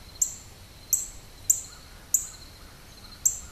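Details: Northern cardinal squawking in Maryland on 7 October 2012, giving sharp, very high, clipped chips at uneven intervals, five in three and a half seconds, over a steady faint background hiss.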